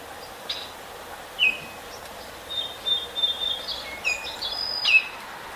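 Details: Adult and young Baltimore orioles produce a few clear whistled notes with downward slurs, a thin sustained whistle in the middle, and a final sliding note, over quiet steady background noise.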